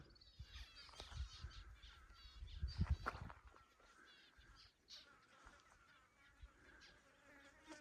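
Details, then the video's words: Zebra finches give many short, nasal, trumpet-like beeps in quick, uneven bursts on a hot December summer day near Bond Gap, West MacDonnell National Park, near Alice Springs, Australia, over a droning buzz of flies and rustling. "Hopefully you can hear the zebra finches over the flies."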